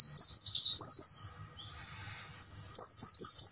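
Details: Oriental white-eye night song for training caged birds: a long, fast chain of high, downward-slurred chirps, a brief pause with a faint lower note, then another quick twittering run.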